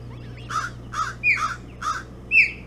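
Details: Hog Island osprey nest during an early-morning bullhead feeding, 11 June 2017. Four harsh, raspy notes about half a second apart alternate with two sharp upslurred whistles, the last whistle the loudest, over a low steady hum.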